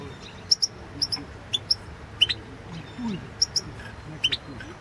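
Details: Goldfinch competition recording from the 2016 world championship: scattered paired high chirps at irregular intervals, some rising, with a soft low background murmur.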